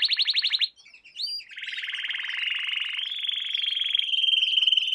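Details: Training song for young canaries: a loud fast trill, a short gap with rising whistled notes, then a sustained rapid rolling tour climbing slightly in pitch.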